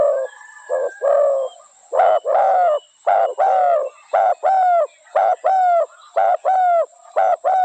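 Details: Spotted dove calling steadily, a string of husky two-part coos, short note then longer note, roughly one pair per second, growing more regular toward the end; quiet background otherwise.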